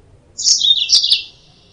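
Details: Trapping-lure recording of a yellow-fronted canary: one rapid phrase of three or four high, tinkling chirps run together, about a second long, against quiet background noise.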